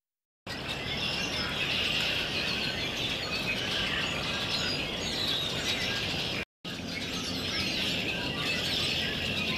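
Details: A large flock of migrating, foraging red-winged blackbirds on cloudy, rainy days makes a dense, continuous chatter of high chips and squeaks, broken by two brief silences.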